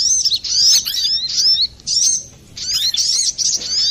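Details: Brown-throated sunbird, busy and clear-voiced, recorded to lure birds or get quiet cage birds singing: sharp high twittering runs with rising and falling slurs, a short silence, then another chattering burst.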